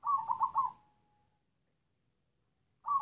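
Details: Local wild black zebra dove in a stuttering coughing coo style: a low phrase of four broken, hiccuping notes ending in a thin drawn-out tone, then silence before the next phrase begins.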